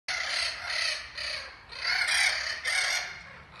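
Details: Spix's macaws in a large flocking aviary, the first group chosen for return to Brazil, give harsh, raspy screeches in short bursts about half a second apart, loud and high, with nothing else clearly heard.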